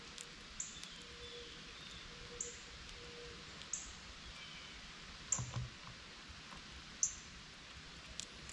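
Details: Northern cardinals chirping while waiting for seeds to fall from a feeder where a squirrel eats; five short, sharp, high chips spaced irregularly about one to two seconds apart over a steady background hiss, with faint clicking.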